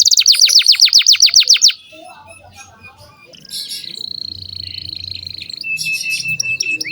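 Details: Canary song for training young canaries: a rhythmic series of about a dozen sharp falling notes, a quiet gap, then a long thin steady trill.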